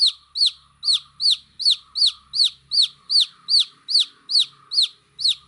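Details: Chicks give a steady, rhythmic string of about thirteen shrill, down-slurred peeps, roughly two or three each second, clear and loud throughout.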